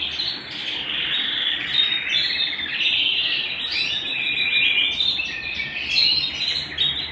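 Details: Canary singing at home, a continuous rich warble of rapid trills and rolling notes, steady in loudness throughout.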